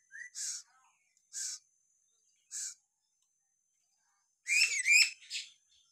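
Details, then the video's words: Papuan lory whistling naturally: three spaced hissy bursts, then a loud tumbling cluster of bent, rising and falling whistled notes near the end, followed by a softer trailing note. "siulan alami burung nuri paltem papua"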